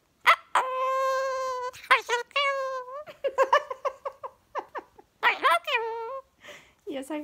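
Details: Chatty pet cockatoo at home vocalizes in long, steady, strongly harmonic drawn-out syllables, then a run of short choppy speech-like notes, ending with wavering rising and falling tones.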